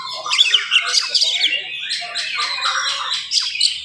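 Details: Oriental magpie-robin in full morning song, fast and dense, meant to stir up other magpie-robins: rapid chattering phrases of high whistles and harsh squawky notes, scattered bursts with brief pauses.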